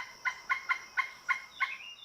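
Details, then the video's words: Pileated woodpecker giving a wild, monkey-like "jungle call": six loud, resonant notes, about three to four per second, slightly uneven, with a laughing quality. "Some people describe the crazy sounds of pileated woodpeckers as bringing to mind monkeys. For this, they are often called jungle calls."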